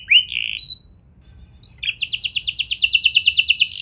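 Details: Canary song used to trigger other canaries: two short whistled notes, a quiet pause, then a fast, pulsing rolling trill that lasts to the end.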